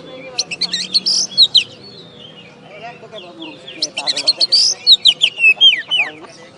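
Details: Caged oriental magpie-robin that won first place in a West Kalimantan bird contest. Two bursts of rapid high whistles and chattered notes are separated by a short lull, over a soft low hum.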